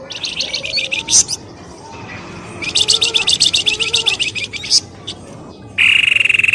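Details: Lure calls to draw birds out of thickets: long series of fast, pulsed, high chattering notes, sharp piercing accents, then an abrupt loud sustained buzzy tone at the end.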